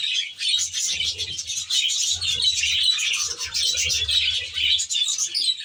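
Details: Budgerigars kept in an aviary produce a steady wash of high, scratchy chatter and warbling, accompanied by bursts of low cooing.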